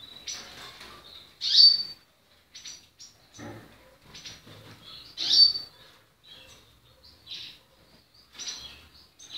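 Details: Portuguese Harlequin canary giving short, sharp, high chirps in scattered bursts, with two louder ringing notes early and midway, separated by quiet gaps with soft fluttering and faint low knocks.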